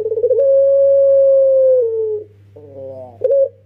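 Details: Rapid pulsed start, then a prolonged mellow coo held for nearly two seconds before dropping away, from a young pelung-type Barbary dove kept as a lure. A quieter wavering note and a short coo follow over a low hum.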